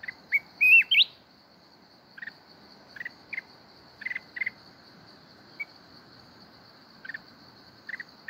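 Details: Mountain red-whiskered bulbul singing in the forest-voice kít bổi style, Binh Thuan. One fast rising, warbled whistled phrase, then sparse short chirps every second or so over a steady high insect hum.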